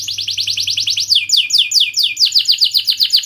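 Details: Canary giving fast cuit-cuit trills in a sharp rolling song, played to teach young canaries and stimulate quiet ones: a rapid run of high falling notes breaking into slower, louder downward sweeps, steady low hum underneath.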